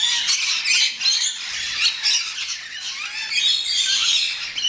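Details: Rainbow lorikeets at a West Midlands safari park: a constant chorus of grating, high squawks and chattering screeches, many birds calling together in pulsing bursts roughly every half second.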